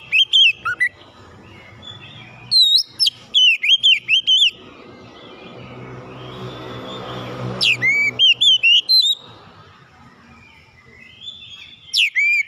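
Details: Oriental magpie-robin song played to lure other birds into singing: bursts of loud, varied whistled phrases with rising and falling notes, separated by pauses with low background hum.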